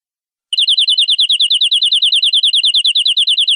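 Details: Canary singing a long, fast trill of rapidly repeated notes, about three per second... rather about thirteen per second, each a quick high chirp with a faint upper overtone, continuous after a brief silence, no other sounds.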